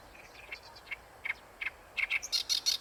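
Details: Oriental reed warbler singing at Ikejima, local area; harsh chirps that quicken into a rapid, rasping chatter rising toward the close.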